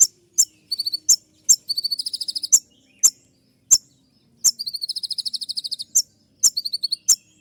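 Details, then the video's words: Van Hasselt's sunbird delivering a full shooting-style song used as a tutor recording: sharp high ticks spaced irregularly, broken by short rapid chattering bursts and two longer shrill trills. "masteran kolibri ninja dengan full suara tembakan"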